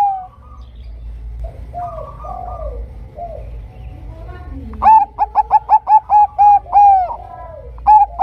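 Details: Zebra dove of the Bangkok type giving a lure song to prompt other zebra doves to sing: soft wavering notes and a low swooping sound open, then a loud, fast series of short coos with a few longer notes.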